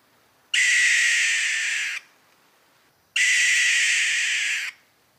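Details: Alarm call of a barn owl, two drawn-out rasping screeches roughly one and a half seconds each, spaced about two and a half seconds apart, fading slightly toward their ends against a quiet background.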